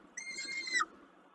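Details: Peregrine falcon recorded at Kawęczyn, 20.05.22, during a snack: one strained, harmonic wail lasting about two-thirds of a second, steady and then dropping sharply in pitch at its end, with a quiet background.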